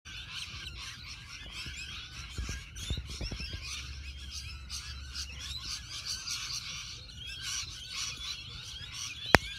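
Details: A large flock of rainbow lorikeets crowding one tree keeps up a constant shrill, screechy chatter of overlapping calls, over a low rumble of wind or distant traffic.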